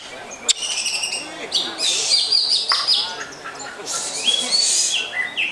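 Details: Greater green leafbird (cucak hijau) in captivity, a rich varied song of bright whistled phrases and sweeping, chattering notes at high pitch, with brief pauses between bursts.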